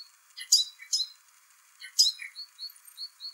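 A song thrush sings bright, high phrases of sharp chirps and whistles, ending with a short clear note repeated about five times in quick succession.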